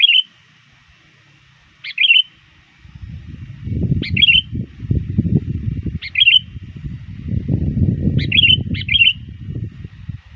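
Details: Sooty-headed bulbul lure bird calling rivals as dusk approaches, trained to sing often: short bubbly phrases repeated every two seconds or so, with loud low rumbling noise across most of the recording.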